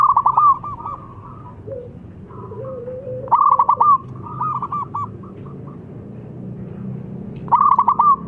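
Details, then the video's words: Young local zebra dove with a thick, full voice, singing steadily as a decoy for other doves: loud rolling coo phrases recurring about every four seconds, with softer trailing coos and a faint lower hum between. "ANAK PERKUTUT LOKAL GACOR SUARA TEBAL"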